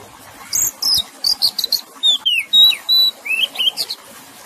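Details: Singing Oriental magpie-robin with gently running water, intended to restore stressed birds' voices: fast high twittering notes give way to pure descending whistles, level tones and short upward flicks.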